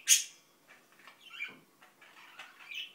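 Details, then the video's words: An Indian ringneck parakeet gives a brief piercing squawk, then quiet, garbled muttering notes that trail into a short chirpy phrase. "İndian Ringneck Börek mumbling"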